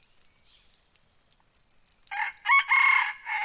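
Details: Red junglefowl crowing: after about two seconds of near silence with a faint high hiss, a loud harsh crow begins, rising into a strong sustained middle phrase before a short final burst.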